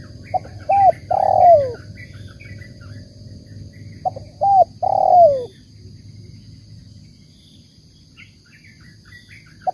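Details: Spotted dove cooing in the 'banggo bocor' style, twice, about four seconds apart: each phrase is two short soft hoots and then a longer, sliding, downward coo. A low steady hum underneath.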